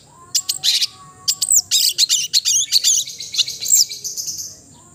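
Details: Long-tailed shrike (cendet), its sound called melodious: a quick run of sharp, high chirps and short scratchy notes in irregular bursts, with a faint steady low tone under the opening second.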